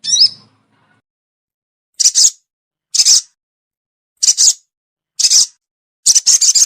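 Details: Sogon lure recording: one ringing high note, then a pause, then a string of harsh, scratchy bursts about a second apart, ending in a quick dry rattle.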